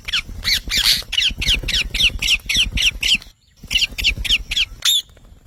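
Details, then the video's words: Green talking parrot giving a steady series of loud, raspy squawks, roughly four per second, broken by a brief silence and then resuming, against low background rumble. "Mithu Tote Ki Awaaz"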